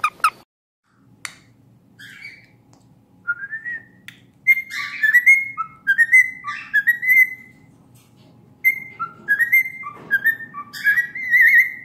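A cockatiel whistles a mimicked melody in clear, rising and falling notes, with short slurred phrases repeated over about ten seconds, above a faint low hum.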